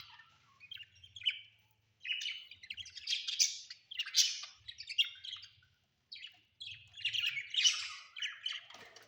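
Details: Pet budgerigars chatter indoors at home with scratchy twittering phrases and sharp chirps in several bursts, separated by brief quiet spells and soft low rumbles.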